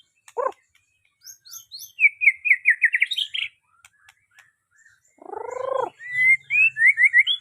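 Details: White-rumped shama pouring out a rapid series of bright rising whistles, followed by a short nasal burst and a fresh run of quick, clear slurred notes.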